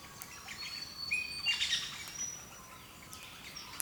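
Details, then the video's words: Several wild birds at early morning on the east coast of Australia, a faint mix of thin high whistles and short chirps scattered through a steady hiss, with a brief louder burst of calls near the middle. "Sounds of Birds early morning in Australia"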